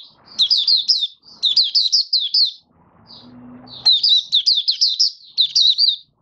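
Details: High twittering 'buka sing' song from a caged Malaysian Oriental white-eye (mata puteh), 1 August 2023, bird out of form: fast runs of bright slurred chirps, a brief gap, then another long chattering run, with faint low background noise.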